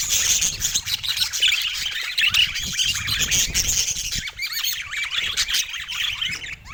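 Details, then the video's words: Several budgerigars chatter continuously on a sunny morning in San Diego, rapid wavering high twitters layered with harsh squawks, loud and unbroken throughout. "Happy Budgies Singing in the Sunshine San Diego Morning Chill"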